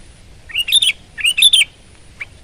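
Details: Two quick bubbly phrases from a sooty-headed bulbul, each a rising whistle that breaks into warbled, tumbling notes, followed by one brief soft chirp.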